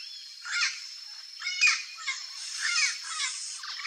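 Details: Turquoise-fronted Amazon in the wild in Brazil, savoring a banana: harsh, raspy squawks given in bursts about once a second, some with a brief clear whistled edge.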